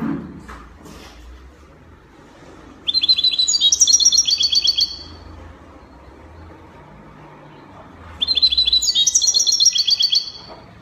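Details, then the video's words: European goldfinch from Morocco singing in the Spanish copia style: two bursts of bright, high, rapidly repeated twittering trills, each about two seconds long, separated by quiet gaps with low background hum. "Chardonneret copia Morocco من أجمل تغريد الطائر الحسون تغريد كوبيا إسباني"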